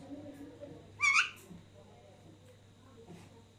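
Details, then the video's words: Three Alexandrine parakeets, two sharing food as a third laughs; one brief loud raspy call with layered harmonics, then faint soft sounds and steady low hum. "third one is laughing"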